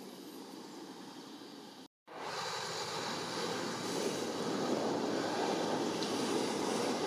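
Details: Broad roaring engine noise, like an aircraft, builds after a brief dropout near two seconds, with no animal call.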